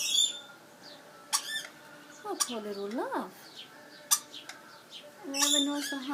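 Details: A baby lorikeet, back home for food and shelter and thought by its owner to have hiccups, gives sharp, brief hiccup-like chirps every second or two, with a soft voice and faint indoor background noise.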